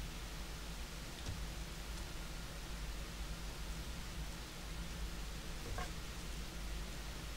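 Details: Dense, rain-like hiss with a low rumble and a couple of faint clicks continues throughout, with no animal calls.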